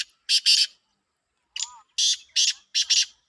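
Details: Black francolin calls in a Pakistani calling competition: short harsh buzzy bursts, two together then three more after a pause, with a brief faint rising note between.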